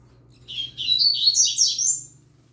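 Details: A young yellow-bellied seedeater sings together with a green-winged saltator, giving a continuous high, rapid twittering phrase of slurred, buzzy notes lasting about one and a half seconds.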